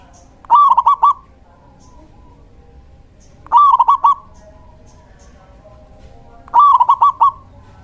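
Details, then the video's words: Male local zebra dove singing as a decoy to attract and rouse other doves: three cooing phrases of rapid trilled notes, evenly spaced about three seconds apart. "Suara perkutut lokal jantan GACOR"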